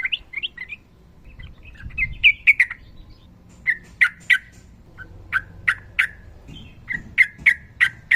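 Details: Sooty-headed bulbul in fighting song: soft chattering phrases at first, then a series of loud sharp clipped notes repeated about every half second.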